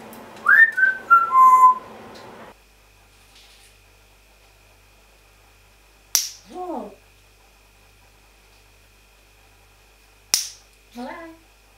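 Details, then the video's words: Pet African grey parrot talking and making noises: a burst of bright whistled notes, then twice a sharp click followed by a short falling, voice-like phrase. "parrot saying random things and making noises"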